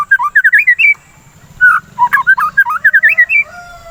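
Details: Shama song used to stimulate singing and to calm breeding urges: rapid runs of rich, tumbling whistled notes climbing in pitch, followed after a pause by a longer, varied warbling phrase.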